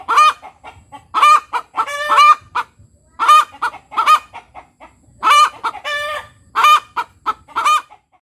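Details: Laying hen of a village chicken breed cackling "tok tok petok": a long run of brassy squawks interleaved with rapid soft clucks, roughly two loud notes every second, in irregular rhythm against a quiet background.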